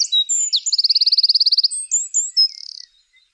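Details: Wren singing on a snowy morning in Scotland: a loud, high song where sharp notes break into a fast, even trill of about a dozen notes, then more bright phrases ending in its characteristic buzzy rattle.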